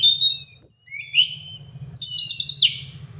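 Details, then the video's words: Oriental magpie-robin, called kacer, singing in gacor style: a few clear rising and level whistles followed by a fast, buzzy stuttering trill, over a low steady hum. "kacer gacor"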